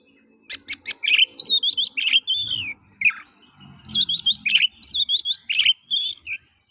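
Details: Oriental magpie-robin (kacer) song for stimulating other magpie-robins to sing: dense run of whistled, slurred and buzzy notes in two long bursts, with faint low background noise.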